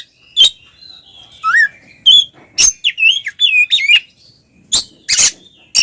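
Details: Oriental magpie-robin, twin birds singing in full ngeplong style, used as a lure to provoke silent magpie-robins into singing; sharp broadband notes mixed with rising and falling whistles and rapid warbled phrases, with gaps of silence.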